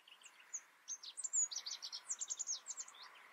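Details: Rock bunting giving a quick run of thin, very high, sharply falling notes, some twenty in three seconds, uneven in loudness and spacing, over a quiet, faintly hissing background.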